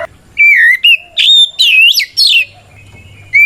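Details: Fighting song of a white-rumped shama, meant to goad rival shamas into replying: loud clear whistles dipping and rising, a steady held tone, then twisting buzzy phrases, with brief gaps and a faint low hum beneath.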